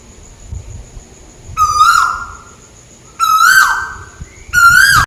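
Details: Scops owl (tuwu bird) heard calling from above in Malaysia: three even, mid-pitched hoots, each gently rising before cutting off, spaced about 1.5 seconds apart, with light low background noise.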